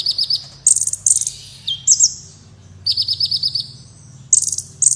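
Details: Black Sunbird (kolibri wulung) singing vigorously, meant for tutoring competition birds: short buzzy trills, piercing high bursts and a falling whistle in quick succession, with a steady low hum behind.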